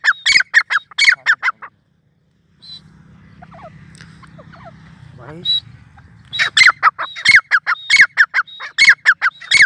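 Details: Sindhi teetar (grey francolin) calling in two loud bursts of rapid, harsh, rhythmic notes. Between them is a quieter gap with a low rumbling hum and a few faint notes.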